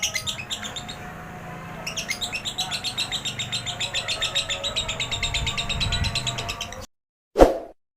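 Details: Lovebird song meant as a lure to provoke other birds to sing, described as a long chatter in a relaxed tone: a fast run of bright, repeated chirping notes, steady and rhythmic, ending abruptly, followed by a single dull thump.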